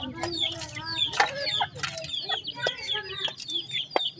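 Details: Several grey francolin chicks peeping busily: short, high, falling cheeps tumble over one another, mixed with sharp clicks and a soft low hum beneath.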